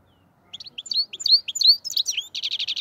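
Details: Black-headed goldfinch singing, linked to Andijan, Kuva and Fergana: after half a second of quiet, a quick twittering run of high slurred chirps and tinkling notes ends in a fast, even buzzy trill. No other sounds.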